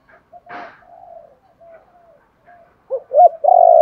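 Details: Spotted dove cooing to encourage wild-caught birds to call. Soft, faint low notes and a brief rustle come first, then a quick pair of short coos leads into a loud, sustained, rolling coo at the end.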